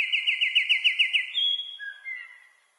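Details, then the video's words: Nightingale song, known locally as bulbul hazar dastan: a rapid series of repeated looping whistled notes, then a long pure high whistle and two lower drawn-out whistled notes fading away. "bulbul hazar dastan beautiful singing"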